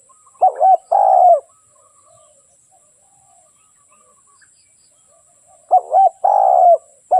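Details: Dove calling with low, hollow coos: a quick double note, then a longer falling coo, once near the start and again near the end after a long quiet gap.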